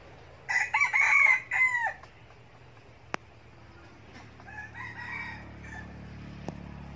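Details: Escaped red junglefowl decoy, Bình Phước, Vietnam, chasing the call of love: a loud, harmonic crow in broken phrases lasting about one and a half seconds, followed by a quieter distant crow, with two sharp clicks and low hum.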